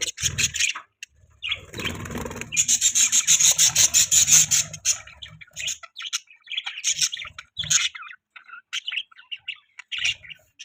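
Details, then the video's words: Budgies chattering together, rapid rhythmic chirps and buzzy high warbles packed densely for a few seconds, then looser scattered tweets, with some low rustling underneath. "Budgies chirping sounds"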